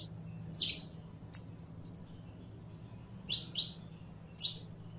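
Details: Saffron finch (Sicalis flaveola), called canario criollo, singing: a buzzy high chirp, two short clear whistles, then pairs of sharp chips after a pause, over a steady faint hum.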